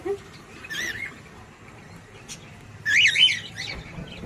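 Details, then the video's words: A pet cockatiel gives a wavering chirp, then after a pause a louder, sharp zigzag call, over a low background hum. "cute Cockatiel🥀♥️🥰 natural sound and singing"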